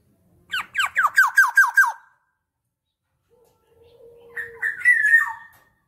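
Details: Black-naped oriole delivering six rapid, harsh, falling nasal notes, then after a pause a steady low hum and a longer wavering squawk.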